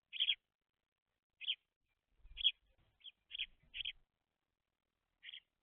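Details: Baby house sparrows, messy eaters at a seed feeder: short bright chirps, about seven over six seconds, irregularly spaced with gaps, plus a few faint low thumps in the background.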